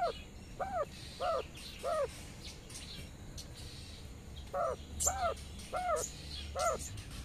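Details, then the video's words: Hen quail leading her twelve young chicks out to graze in sunshine, calling them to follow; two bursts of four curved, clucking notes with a pause between, thin high peeps, and low rumbling background. "Mother quail calling to her cute baby chicks"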